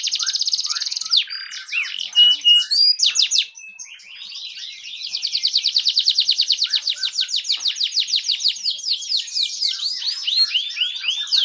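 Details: Fan-tailed canary song used as a tutor for other canaries: a fast, varied series of high chirps, whistles and buzzy notes, ending in a long rapid trill of repeated rising notes.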